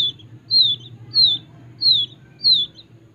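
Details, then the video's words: Young wild quail chick raised in captivity from a small age, giving four high, thin whistled peeps that slide downward, spaced about two-thirds of a second apart, over a faint low hum. "ANAK BURUNG PUYUH LIAR"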